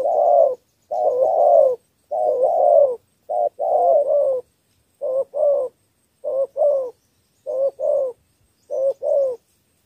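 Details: Spotted dove from Cà Mau, Vietnam, performing a three-note luring coo aimed at wild doves. Soft, deep doubled coos repeat about fifty times a minute at a steady rhythm in a quiet setting.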